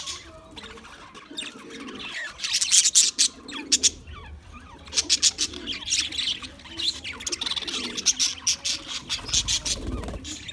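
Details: February 14, 2024 recording of English budgies: rhythmic bursts of loud high chirps and rasping warbles, starting quiet and becoming busier, over a faint low hum.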